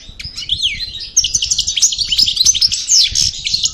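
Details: Just after moult, a parva European goldfinch in the Cravaty style of El Bordj opens with a few sweeping notes, then bursts into dense, high, jingling twitters and trills.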